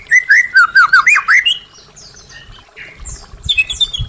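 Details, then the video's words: White-rumped shama song for prompting caged birds that stopped singing: a rapid series of looping, slurred whistles at the start, then softer high notes and scattered chips with low background thumps. "Pancingan murai batu macet bunyi | Suara asli murai batu"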